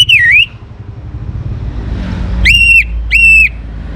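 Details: Young orange-headed thrush singing to coax other birds: a dipping slurred whistle, then after a pause two loud, rich, steady whistles in quick succession over a low rumble.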